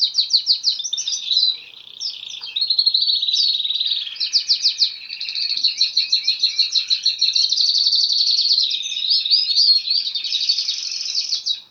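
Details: A canary sings continuously with fast rolling trills and chattering warbles. The high, pulsed phrases change every second or two with hardly a pause. The background is clean.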